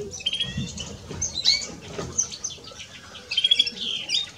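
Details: Male and female European greenfinches singing: a busy run of high, thin chirps and twittering notes, with brief clear whistles near the start and again toward the end.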